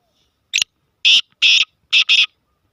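A black francolin gives a harsh, grating phrase: a short clipped note, then four loud rasping notes, the last two run close together. No other sounds.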